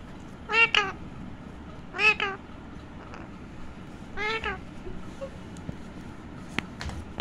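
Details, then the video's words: A pet talking parrot gives three short, nasal, wavering, meow-like utterances spaced about two seconds apart over a steady low background hum. "Pet Amazing Talking Parrot || কথা বলা পাখি || funny parrots talking"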